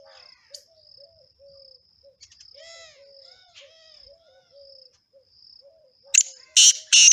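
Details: Singing male black partridge: loud rasping, broadband bursts break in near the end after a stretch of soft low whistles and chirps from other birds, all over a continuous high-pitched insect drone.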